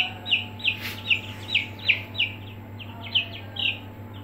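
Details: Aseel chicks in a brooder giving clear, high, downward-slurred peeps, repeated roughly three times a second in a steady series over a low constant hum.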